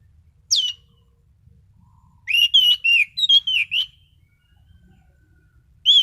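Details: Orange-headed thrush kept as a songbird, singing a rapid run of about eight loud whistled notes, each sliding down, preceded by a single high downslurred note and followed by another.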